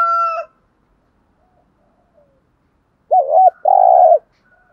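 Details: Morning cooing of male and female spotted doves, played to urge trained decoy doves to call. A brief bright ringing note opens, then silence, then two loud low hollow coos close together.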